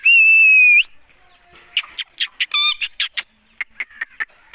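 An Indian ringneck parakeet gives a steady, high whistle, then a quick run of shrill, clipped, speech-like syllables in bursts of five or six.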